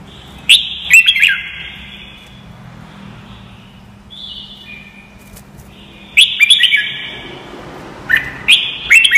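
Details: Red-whiskered bulbul song as training audio: a bubbly warbled phrase, a long quiet gap with a soft faint note, then two more quick runs of slurred, ringing whistles.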